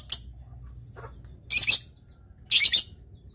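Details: Lovebird used as a master bird for training, uttering short harsh shrieking bursts, each a doubled high screech, spaced about one second apart after a sharp opening note.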